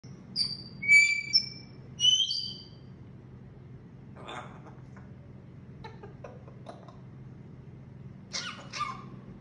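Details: Grey parrot (Psittacus erithacus) giving a few high, clear whistles with quick pitch jumps, then a scatter of dry clicks and short rasping bursts over a low background hum.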